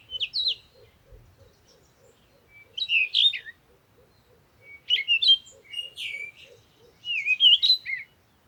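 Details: Bird song in four bursts of chirpy, warbled notes about every two seconds, over a faint steady series of low soft ticks through most of the recording.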